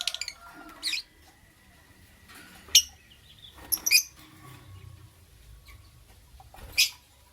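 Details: Morning lovebird chirping in bright, high, clipped bursts spaced irregularly, with a double burst midway and a final sharp chirp, over soft background rustle.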